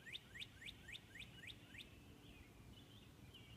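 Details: Northern cardinal singing in the blue hour just before dawn, heard from a bedroom window: six loud upslurred whistles repeated quickly over two seconds, then softer, lower warbled notes against a faint background hum.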